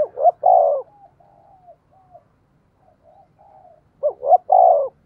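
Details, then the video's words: Decoy spotted dove giving its luring call: a loud phrase of two short rising notes and a long coo, faint soft cooing between, then the three-part phrase repeated. "Chim Cu Mồi Thúc Và Gáy Gọi/ tiếng cu gáy mồi chuẩn kích bổi"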